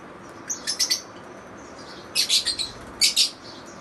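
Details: Lovebirds chattering in quick bursts of three or four shrill, raspy chirps, with gaps between the bursts.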